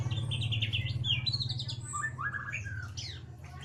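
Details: Lure song of a white-rumped shama in ngeriwik style, meant to make a silent bird sing: fast varied chirped and whistled phrases, some high and buzzy, others lower slurs, over a steady low hum.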